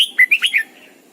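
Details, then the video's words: Morning song of a caged Red-whiskered bulbul decoy kept to train other birds: a brisk run of four or five bright whistled notes, each a short rising or falling slur, ending in a soft trailing note. "luyện chào mào mồi hót sáng cực hay, ép chào mào hót âm kép già rừng hay tuyệt!"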